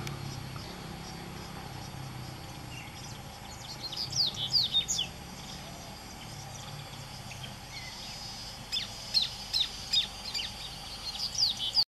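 Little thornbird song: quick bursts of sharp, high chattering notes, one burst early and a longer run near the end, over steady background hiss.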